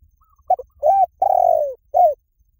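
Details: Lure call of a spotted dove: a quick double note, an arched coo, a drawn-out vibrating coo gliding downward, and a closing down-slurred coo, clear with a quiet background.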